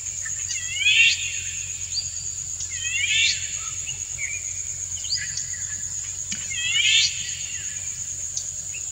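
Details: Male Indian golden oriole singing a courtship song to a female that dances to it. Three bright, sweeping chirped phrases about two to three seconds apart over a steady high insect-like drone and a low hum.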